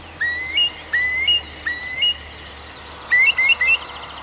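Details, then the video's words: A bird singing in a night forest, Arkhangelsk Oblast, June: clear whistled phrases, each a smooth upward slide ending in a short higher note, given three times, then a quicker triple of rising whistles. "Пение птиц в ночном лесу"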